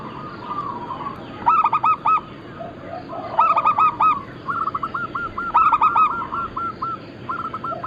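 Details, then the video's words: Local zebra dove, a lure and training recording, giving several fast bursts of four or five rounded cooing notes around the middle pitch, with softer repeated coos between them, over a steady low background hiss. "Perkutut lokal gacor - Pintar Mengundang Bunyi semua jenis burung kutut Lokal bangkok crossing"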